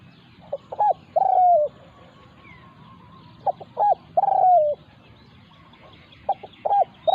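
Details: A wild territorial spotted dove confronts a caged decoy. Repeated three-part coos, with quick short notes ending in a longer downward-sliding hoot, come roughly every three seconds. Faint small-bird chatter sounds in the background.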